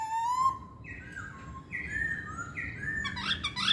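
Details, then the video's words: Chinese hwamei song: a drawn-out low whistle, then softer sustained whistled notes at shifting pitch, ending in a jumble of higher chattering notes. "Kicauan Poksay Hongkong"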